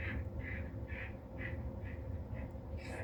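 A male quail gives a run of short, harsh notes, about two per second, over a steady low rumble.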